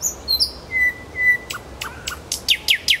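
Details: Song of a nightingale in Kuzminsky forest park: high notes, two long level whistles, then clicks and a run of quick descending strokes, each phrase distinct and fast.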